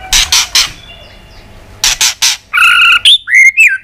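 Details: White-rumped shama stirred into fighting song, flicking its tail with ticking clicks: three harsh broadband clicks, a pause, more clicks, then short bright whistled notes, one sliding down, at the end.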